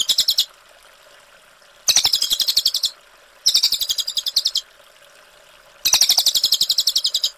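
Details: Brown cililin delivering long, clear 'ngerol' rolls as a tutor song: fast machine-gun-like pulsed trills, high-pitched, in bursts about a second long separated by pauses, over a steady low background hiss.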